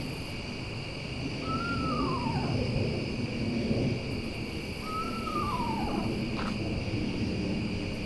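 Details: Eastern Screech-Owl calling very close at night near a trail, two falling whinnies about three seconds apart, each a short quavering slide downward, with persistent night insects buzzing in the background.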